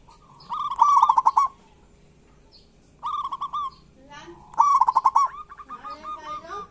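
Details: Zebra doves of local stock in kerot and bekur song style, a lure for reluctant doves. Three loud trilled coo bursts, each under a second, with a softer dove repeating quieter notes near the end.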